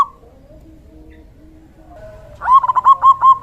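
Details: Lively local male zebra dove used as a decoy and master call to lure doves and spur quiet birds to sing: after faint low background tones, a brisk series of short, even, staccato cooing notes, about six in a second.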